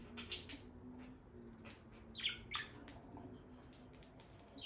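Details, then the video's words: Two peach-faced lovebirds, a bonded pair by their nest box, give a few scattered high, scratchy chirps between quieter stretches, with light movement and rustling sounds in a small room. "Parrot Chirping Sounds – Relaxing Lovebird Couple Vocalizations"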